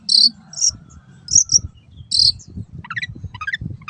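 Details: Long-tailed shrike (Lanius schach) song from a training recording for cage birds, with harsh, high scratchy bursts about every half second, then quick tumbling chattery notes dropping in pitch.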